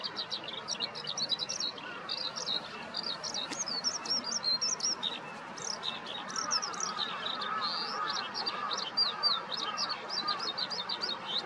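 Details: Eurasian skylark in morning song over a vegetable garden east of Yanagishima Sports Park on 15 May 2021, Nikon COOLPIX P1000; hurried high twittering and rolling trills pour on without pause, with a softer lower chattering bird behind.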